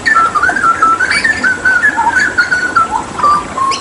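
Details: Hooded butcherbird, a Papuan endemic and skilled mimic used as a song tutor, delivers a loud, continuous whistled warble of gliding, wavering notes that rise and fall without pause during a water-therapy session.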